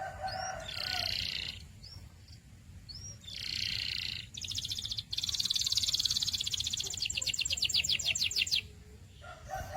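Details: Canary song alternating short whistled upslurs with buzzy bursts, then a long rapid trill of repeated notes, set against a steady low background hum.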